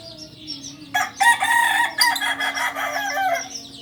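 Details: Crowing Kokok Balenggek cock from a Solok farm, the singing chicken native to Solok: a strong, raspy crow starts after one second and runs in linked, uneven bursts for over two seconds, with faint small-bird chirps before and after.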